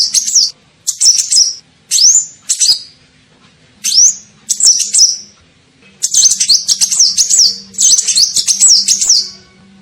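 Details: Sunbird call used as a lure for birds: short separate sharp upswept chirps at first, then longer continuous runs of high zigzag twittering, with a faint low hum throughout.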